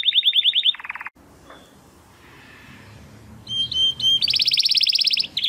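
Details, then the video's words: Male Timbrado Español canary, born 2020 from rated parents, singing a training song for other canaries: a fast high buzzy trill, a lower rolling burst, a pause with faint background hiss, then pure whistled notes and a bright rapid trill. "Canary 's Training Song"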